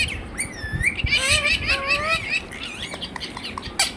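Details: Pet Indian ringneck parrot, a talking bird, giving harsh, raspy squawks with wavering, bending tones over about two seconds, then quieter chatter and faint room noise.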